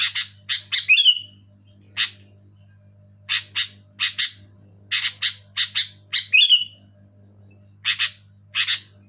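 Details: Loud sooty-headed bulbul recording intended to stimulate lazy caged bulbuls: clusters of rough chirps separated by short pauses, twice ending in a sliding whistled note, faint hum behind.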